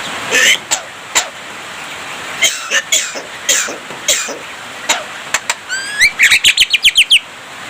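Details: Javan myna singing a chatter filled with imitated human speech and coughing: scattered harsh, noisy bursts, then a run of about eight quick rising whistles near the end, with faint traffic in the background.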